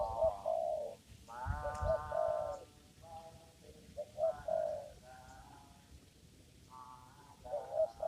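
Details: During lure trapping in a papaya garden, a spotted dove gives rolling coo phrases over steady droning harmonic tones, short accented notes repeating in bursts with brief pauses, a faint click near the start.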